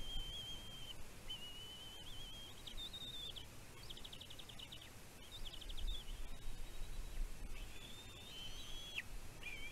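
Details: Nest-bound bald eagle chick on Catalina Island, California, in June 2023, reacting to food brought by its mother: near-continuous high whistled wails with a fast stuttering chitter in the middle, over low rumbling wind noise.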